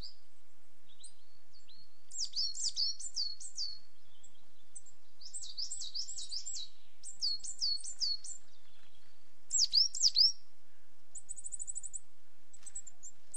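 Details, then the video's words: ['Coal tit delivering several phrases of high, piercing two-note whistles repeated quickly, separated by brief pauses, followed by a brief buzzy high trill and a few softer notes.'] "Coal Tit sound"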